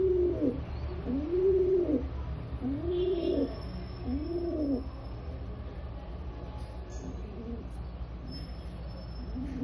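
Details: Rock pigeon (Indian pigeon) cooing: low, soft rolling coos, several in quick succession then fading, over a steady low background rumble.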